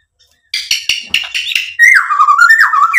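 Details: White-rumped shama, lure song to provoke a reply: a burst of harsh, scratchy chattering notes, then a loud sliding whistle that drops and wavers.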